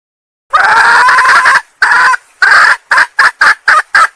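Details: Female red junglefowl of Sumatra calling to attract males; a long strident note, a shorter one, then a string of clipped harsh cackles accelerating slightly.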